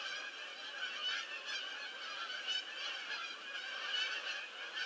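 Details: A big flock of geese landing on 22 October 2015 fills the air with constant, overlapping nasal honking; individual calls occasionally rise above the mass, roughly every second or so.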